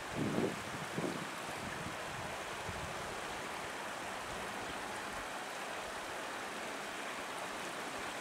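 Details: Continuous rushing of flowing water, like a stream, after a few brief thumps at the start, and no animal calls.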